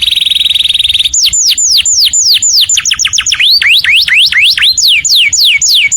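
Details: Canary song meant for other birds to copy. A steady high buzzing tone opens, then comes a lively series of arched and downward-sweeping whistled notes at varying pitches, about three or four per second.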